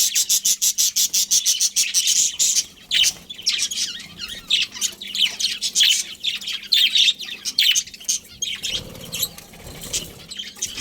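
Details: Budgie colony opening with a fast, evenly repeated series of sharp high chirps, then a looser jumble of twitters and squawks, a rustling sound near the end, low hum throughout.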